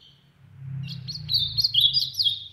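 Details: Loud song of an ultramarine grosbeak recorded in the sertão, a fast run of slurred, warbling whistles over a steady low hum in the background.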